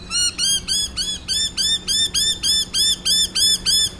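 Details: Noisy miners near Brisbane, Australia, in Corso reserve on 29 August 2012, calling in response to an owl model: harsh, buzzy chevron-shaped notes repeated rapidly and evenly, about three per second, with a faint steady low hum beneath.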